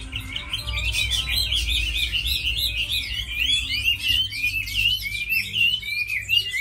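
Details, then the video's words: Chinese hwamei, tame and said to sing well and fight well, gives a dense stream of bubbling warbles and twittering notes, fast and unbroken, with some low rumbling noise. "Mi thuần đấu tốt hót hay"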